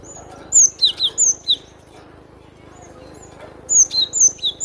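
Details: Cinereous tit song: bursts of four or five high, clear whistled notes, each sliding down, with a brief pause between phrases; quiet background.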